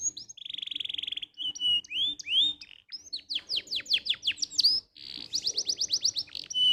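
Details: Canary tutor song played so other canaries learn to sing quickly: a long rapid buzzy trill, then clear upslurred whistles and fast runs of sharp downward-sweeping notes in a high, varied, continuous stream.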